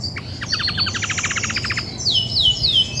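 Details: Singing female Belgian canary in grey and white, a bird that sings much when ready to brood, gives a dry buzzy rattle of rapid clicks lasting over a second, followed by three loud descending whistled sweeps.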